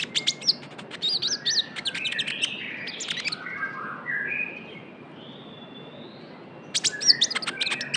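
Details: Young Javan white-eye heard as a lure sound: clusters of high, sharp tweets mixed with longer level whistles, a quieter stretch with a soft drawn-out whistle, then a renewed burst of bright chirps.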